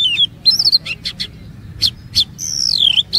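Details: Oriental magpie-robin singing, a lure meant to trigger long phrases from other magpie-robins: scattered whistled notes and sharp chips, ending in a long high arching whistle, with low background hum.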